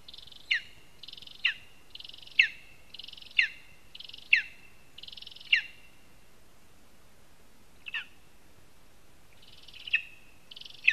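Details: Series of short, buzzy high calls repeated about once a second, each ending in a sharp clicking downstroke, with a pause and then two more calls. Lesser spotted eagle at its spruce nest in Zemgale, Latvia, seen on a live nest camera.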